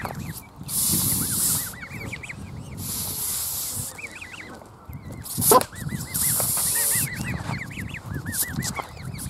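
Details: Canada goose hissing repeatedly: long breathy hiss bursts lasting about a second each, separated by pauses, while goslings peep constantly in thin, looping high notes over low rumbling background noise.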